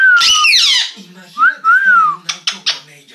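A Cuban amazon makes odd noises: a falling whistle blended with a harsh squawk, two rising-and-falling whistles, then three short raspy bursts, indoors.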